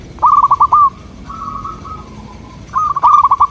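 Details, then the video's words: Zebra dove song used to get local doves to respond: a stuttering burst of coo notes, a soft level held coo, then another loud rapid stuttered phrase. "Sudah di buktikan dengan suara ini, burung perkutut lokal langsung nyaut jadi rame"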